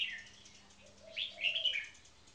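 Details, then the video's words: Short burst from caged red-whiskered bulbuls, one a marathon frequency singer: a fading phrase at the start, then a loud fluty rising and falling warble, with a soft low coo underneath and light background hum. "Marathon Frequency Singing"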